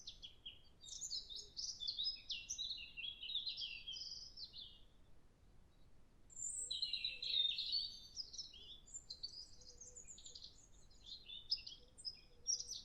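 A European robin sings high, thin warbling phrases, rapidly wavering and tumbling, broken by short pauses, over a soft low background hum.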